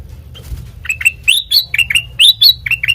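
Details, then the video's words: Sooty-headed bulbul song intended as a lure for training birds: spaced, bright chirps, some rising and some dipping, about four per second, with a steady low-pitched hum in the background. "Suara Burung Kutilang Mas Sanget Merdu,COCOK BUAT PANCINGAN MASTERAN"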